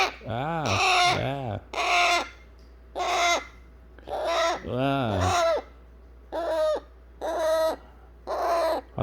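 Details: Eclectus parrot chick, hand-fed, fussing to be held after eating baby food: harsh, raspy squawks about once a second, interleaved with lower, wavering, arched harmonic cries that rise and fall.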